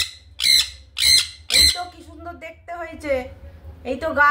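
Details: Growing sun conure kept as a pet, scolded for constant screaming: three strident, rasping squawks about half a second apart, followed by a woman talking in Bengali.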